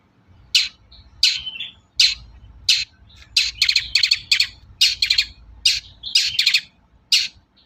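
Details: Long-tailed shrike in lively full song, a lure recording meant to draw shrikes into singing: harsh, buzzy high notes repeated about every two-thirds of a second, some delivered as quick doubled or tripled bursts, over a faint low hum.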